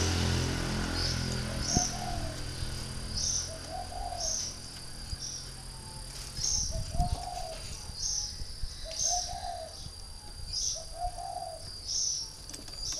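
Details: Spotted dove from northern Vietnam, a caged decoy three years old, repeats low soft coo phrases about every two to three seconds. High chirps recur between them over a steady hum and scattered knocks.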